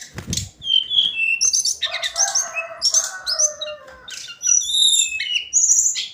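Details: A hill blue flycatcher (sikatan cacing) sings its daily song: busy, varied whistled notes jumping between high and middle pitches, quick twittering phrases with short pauses.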